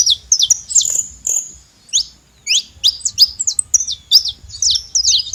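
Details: Saffron finch, or canário-da-terra, making noise: sharp high chirps and rising, hooked notes delivered in short bursts with brief pauses, then a quickening string of repeated chirps toward the end over faint low background rumble.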